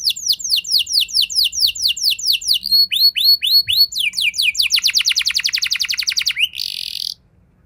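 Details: Canary lure song: evenly spaced descending whistled notes for several seconds, shifting into a quick rolling trill, then a brief harsh buzzy note before falling silent.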